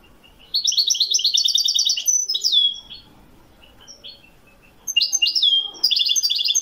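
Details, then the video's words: European goldfinch song recorded in Morocco: two bursts of rapid high tinkling twitter with sliding whistles, separated by a pause with a few scattered soft notes. "le meilleur chant du chardonneret au maroc"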